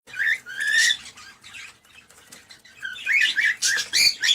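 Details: Cockatiel sounds used to encourage mating. Bright warbling chirps and rising whistles come in two loud bursts, one at the start and one at the end, with a softer, quieter stretch between them.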